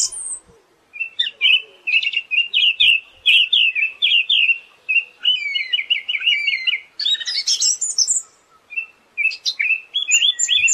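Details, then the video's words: Siberian thrush in continuous 'gacor' song: a long sequence of quick, rolling warbled notes at steady pitch, interspersed with thin descending high whistles. A burst of harsh, noisy chatter follows, then more clipped phrases. "Master suara burung anis | Super Gacor"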